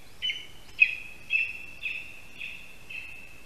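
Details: Male lesser spotted eagle at a spruce nest in Latvia, 8:16 AM on 13 August 2021, calling for his mate after bringing a mouse: clear, high, drawn-out whistled notes repeated about every half second.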